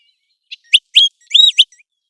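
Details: Calls of an American golden plover in the migration and breeding seasons: a short run of high, clear whistled notes, several slurred and arching, in a brief burst lasting about a second.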